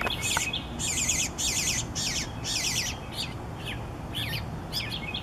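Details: Eastern bluebird young give harsh, raspy begging calls as the parents feed them, about two bursts a second, mixed with thin warbled chirps over a low background rumble.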